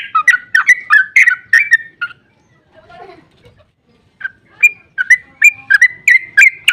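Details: Sooty-headed bulbul (trucukan) giving a long, emotional 'ropel' song, used as a lure to make other bulbuls answer. Fast bubbly whistled notes tumble up and down, pause for two seconds, then resume in a brisk run.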